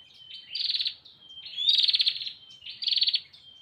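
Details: A female Bar-winged prinia calls the male with three pulsed buzzy bursts about a second apart. Each burst is led in by a thin, even whistle.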